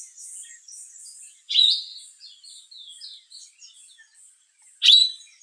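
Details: Sombre greenbul in South African forest, calling from inside a tree: two loud, abrupt whistled notes about three seconds apart, over a soft, continuous high twittering from other birds.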